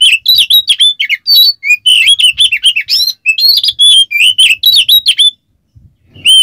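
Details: Kacer, the Oriental magpie-robin, in a lure recording of harsh agitated song: dense run of sharp whistled and chattering phrases, rising and falling slurs, then a brief pause before singing resumes.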